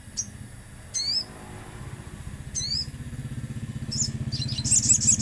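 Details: Common iora, played as a lure with nature sounds: a few short high chirps with quick down-up twists, then a dense run of high chirps, over a steady low rumble of passing traffic.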